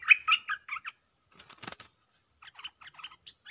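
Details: Stripe-throated bulbul used as a caged decoy against captured wild birds, giving loud, bubbly warbled phrases at the start, a brief rustling flutter mid-way, then a string of short, clipped chirps.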